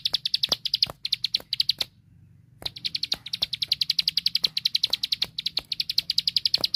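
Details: Bar-winged prinia (ciblek sawah) song for training caged songbirds: rattling bursts of quick, piercing chirps, broken by a brief pause, then a long unbroken high-pitched trill-like series to the end.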